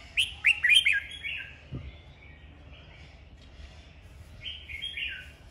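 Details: Red-whiskered bulbul, a kept bird in a singing duel in Vietnam; a quick burst of bright, chirpy whistled notes, then softer warbled phrases and a final fluty, slurred flourish, with a soft thump in between.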